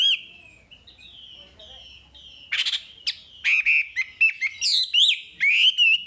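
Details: Wambi singing in masteran material: a long steady whistled tone at first, then rapid harsh chips and bright looping whistles, growing faster and louder toward the end.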